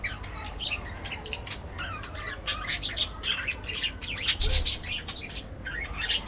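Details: A flock of aviary parakeets keeps up a continuous warbling chatter of squeaks, chirps and short rising notes, with some louder squawks toward the end.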